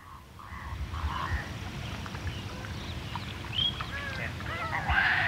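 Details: Painted stork fledglings give a busy chorus of nasal, honking and wavering calls at about four per second, with other birds in the background and distant water birds calling.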